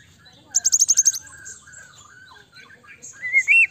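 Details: White-rumped shama singing to make another shama respond quickly: a rapid burst of eight sharp high notes, then softer warbled whistles, ending in a loud rising and falling whistled phrase.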